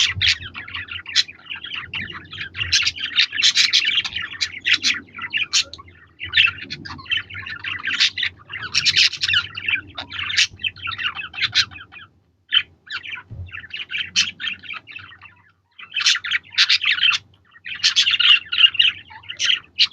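Budgerigars chatter continuously with rapid, scratchy warbles and sharp chirps.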